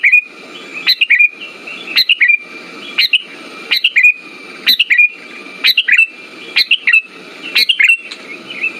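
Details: Sooty-headed bulbul (kutilang) lure song meant to stir quiet birds into singing, with short liquid whistled phrases of two to three notes repeated about once a second and a constant faint background tone.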